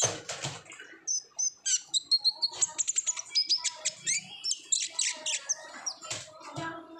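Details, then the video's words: Olive-backed sunbird, 'ngobra'-style energetic song used to stir untrained sunbirds into singing; rapid high chirps and thin whistled slurs, some descending, strung in fast chattering phrases. "PANCINGAN KONIN GACOR NGOBRA , KONIN BAHAN PASTI AKAN RAJIN BUNYI"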